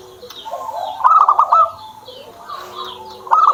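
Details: Pet zebra dove: a short run of four or five stuttered coo notes, then a fresh burst beginning at the close. Lower droning coos sit beneath, with faint high chirps from other birds.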